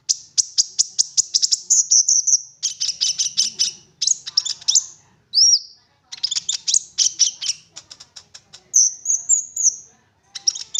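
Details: Olive-backed sunbird in intense chattering song used as a lure to make other sunbirds sing; very high, rapid trills and buzzy sweeps in dense bursts, with brief pure whistled slurs between phrases.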